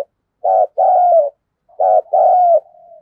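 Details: Decoy spotted dove whose song includes the Thúc, Gù and gáy Gọi styles, giving two loud, low, husky coo phrases. Each is a short note followed by a longer drawn-out coo, with a faint trailing note at the end.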